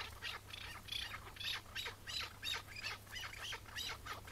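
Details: Chukar partridge, a wild bird that came in on a May 2017 morning and was caught and later released, gives loud, harsh chuck notes repeated about three times a second in a steady run, with low background hum.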